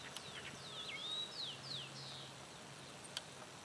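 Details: Variable hawk calling: a quick run of about six thin, high-pitched downslurred squeals in under two seconds. The squeals are faint over a steady background hiss, with a couple of soft clicks afterward.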